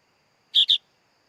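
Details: Sooty-headed bulbul chick uttering a single quick pair of loud, rough, buzzy notes.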